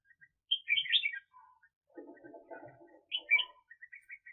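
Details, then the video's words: Red-whiskered bulbul used as a decoy bird for trapping in the 2021 season gives bright, bubbly whistled phrases in two bursts, with softer chattering notes between them. "Chào Mào Mồi"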